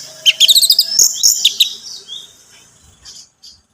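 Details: Orange-headed thrush song used as a lure for a caged bird: a quick run of sharp, high chirping notes in the first second and a half, then a fading trill and two faint last notes.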